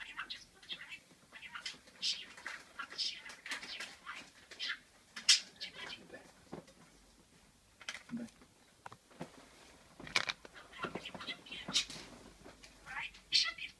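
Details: A five-year-old male talking budgerigar that rarely stops chatters in quick, scratchy bursts of high-pitched warbling and clicks, with speech-like mimicked phrases.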